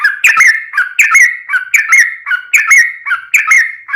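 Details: Yellow-vented bulbul singing vigorously in long rapid 'ropel' style, played as a lure to draw replies from other bulbuls: paired liquid whistled phrases with a quick upward flick, repeated about every three-quarters of a second.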